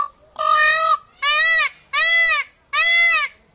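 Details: Peacock giving four loud, nasal, harmonic wails, each about half a second long and steady in pitch, repeated with short pauses between them in an otherwise quiet setting.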